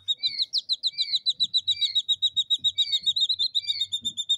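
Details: Three captive jungle bush quail chicks, two days old, in the UK give a steady stream of thin, high cheeping notes, several a second, with faint low rustling beneath.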